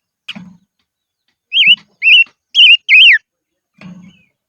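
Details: Decoy silver-eared mesia in the highlands delivers four strong, undulating whistled notes, the last sliding downward, framed by brief chips and low muffled thumps.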